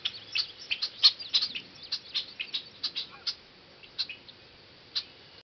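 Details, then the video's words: Red-winged blackbird calling at Heron Park: brisk, clipped high chips tumbling in a rapid irregular series for three seconds, then a few spaced single notes, with low background hiss. "Redwinged Blackbird"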